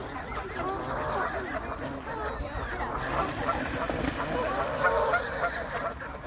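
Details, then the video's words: Canada geese fighting, giving a continuous chorus of rapid, overlapping nasal honks and cackles from several birds, with no clear pauses throughout. "Canadian Geese Fighting"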